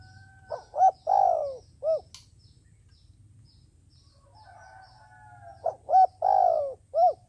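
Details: Decoy dove kept for trapping, calling to lure wild doves: two phrases about five seconds apart, each a soft hooted pickup, two quick hoots, a long drawn slurred coo and a short closing note, over a low hum and faint high chirps.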